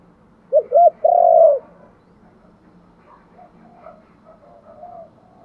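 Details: Spotted dove coos in its luring style: two short upward-bent notes and a long, rough, even coo, followed by several seconds of faint, distant cooing.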